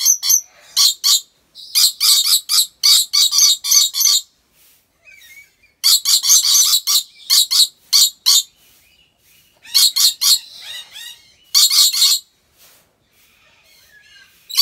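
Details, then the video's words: Long bout from a captive rainbow lorikeet at a wildlife park in Aceh, Indonesia: clusters of rapid, raspy shrieks about four per second, broken by short quiet spells with faint chatter. "Rainbow Lorikeet Sounds"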